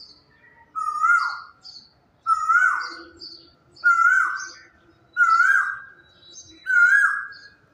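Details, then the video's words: Quail singing in the morning silence: a loud, harmonic note with a drawn, slightly downslurred tail, repeated about every one and a half seconds, five times, over a quiet background. "Subah ki khamoshi Tanhai or quail ka ye song"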